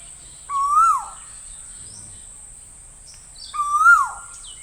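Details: Two Asian koel calls three seconds apart, each a bright whistled note swelling upward before falling off, with a quiet pause between them.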